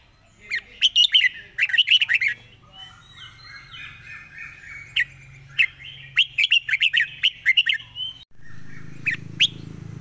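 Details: Red-whiskered bulbul in quick 'fast-beak zone' song: fast clusters of bright, clipped chirps and slurred whistles, a softer warbling passage, more rapid bursts, then a rush of low noise near the end.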